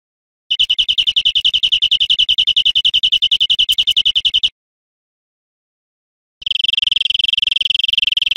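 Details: Teaching recording of European greenfinch song for cage birds: a long fast trill of high notes lasting four seconds, silence, then a denser, buzzier rattling trill; clean background.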